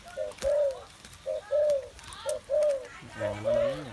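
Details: On an afternoon of 21 August 2021, a kept spotted dove gives soft, low hooting coos in paired short-then-long phrases, about one per second, after feeding on rice grain, with a faint human voice near the end.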